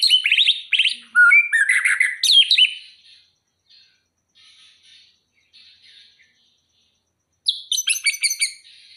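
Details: White-rumped shama from Aceh, prepared for competition, pouring out a rich jumble of whistles, chatters and rapid buzzy trills, then pausing with faint soft notes for several seconds before resuming a loud, chattering, high-pitched outburst.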